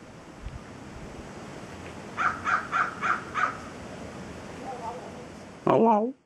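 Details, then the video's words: Wild crow in a tree overhead in January 2013, known for mimicking "hello": five evenly spaced harsh caws in quick succession, a few softer notes, then a loud, sliding, wavering call before the sound cuts off. "The Hello Crow"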